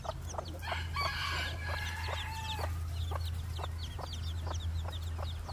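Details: White bantam Phoenix rooster crowing in spring: a harsh, harmonic crow ending in a long drawn-out note, partly covered by frequent high peeping of chicks and a steady low hum.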